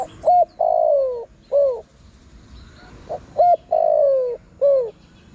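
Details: Two cooing phrases from a spotted dove, played to lure wild doves. Each has a short coo, a long downward-sliding coo and a brief falling coo, with a quiet note before the second phrase.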